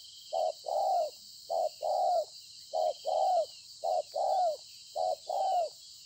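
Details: Spotted dove, a wild-caught field bird, recorded 26 September 2020: five evenly spaced two-note coos, a brief note followed by a fuller drawn-out one, about once a second, with constant insect buzz behind.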